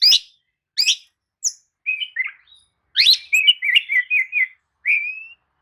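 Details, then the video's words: An Oriental magpie-robin sings a bait song for rousing sluggish birds: spaced sharp chirps, then a run of quick warbled whistles, closing on a clean rising whistled note. "kicau pancingan kacer atasi kacer loyo! jelas nyaut dan gacor"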